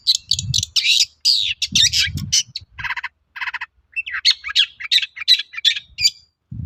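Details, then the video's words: Long-tailed shrike singing to draw answers from other shrikes: a fast jumble of scratchy high notes, two brief rattling buzzes, then rapid chirping phrases, with some low thuds in the background. "BANYAK CENDET NYAUT MENDENGAR SUARA BURUNG CENDET GACOR INI"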